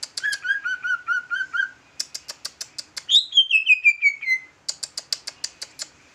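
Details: Jumbo leafbird in trucukan-style song: a row of mellow wavering whistles, a burst of crisp ticks, a long descending buzzy slur, then another volley of sharp high clicks.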